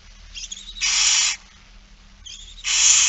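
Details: Barn owls begging during feeding in Friesland, 8 September 2019; two long loud hissing screeches, each preceded by a faint thin twittering note.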